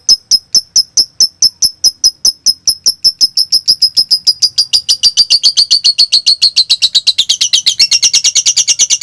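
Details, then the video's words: Konslet-style lovebird song meant to spur other lovebirds into singing. Spaced high clicks speed up into a dense, rapid chatter that climbs higher toward the end, with a faint room hum underneath. "Masteran Suara Lovebirds Konslet"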